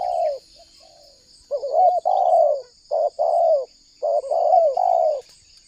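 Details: Spotted dove cooing for luring wild doves, Indonesia: a run of deep, burry coo phrases, short clipped notes leading into longer wavering ones, with a continuous thin high tone in the background.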